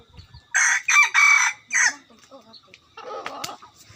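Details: Decoy rooster crowing close by in loud, hoarse, broad bursts: a long strained phrase from about half a second to one and a half seconds, then a shorter burst, followed by quieter clucks and a rustling scratchy noise.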